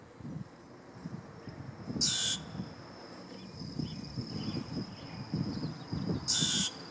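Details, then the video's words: Common grackle giving two harsh, raspy bursts about four seconds apart, over a steady high insect-like whine and a low background rumble. "common grackles"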